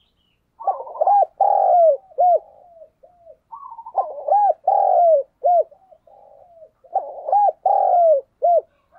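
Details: Spotted dove; coo; decoy bird calling to lure wild doves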